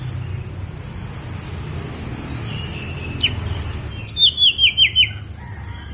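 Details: On Gunung Songgo Langit, a Snowy-browed flycatcher gives scattered thin, high chips before a quick series of about nine bright, descending, evenly spaced whistled notes over a soft low background hum.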